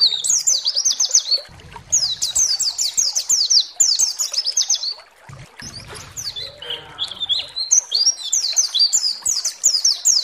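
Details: Pleci (white-eye) lure song used to provoke other white-eyes into song. Several bursts of rapid, high, rattling twitters are separated by short pauses, with low background rumbles in the gaps.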